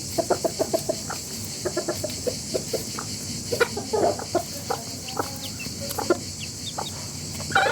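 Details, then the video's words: A rooster family clucks together in quick, irregular notes, some louder than others, over steady background hiss. "Rooster family makes noise together."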